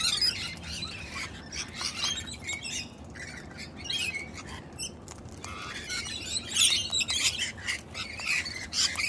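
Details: Sulphur-crested cockatoos, wild, with a jealous female reacting to attention given to her mate, screech in harsh, raspy bursts, several overlapping in quick, uneven succession, with softer chatter between the loudest squawks.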